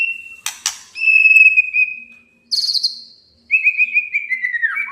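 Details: A male white-rumped shama challenges a rival to rouse it. It starts with a steady whistle, then gives two rough buzzy notes, a long even whistle, a higher bright burst and a falling whistled trill.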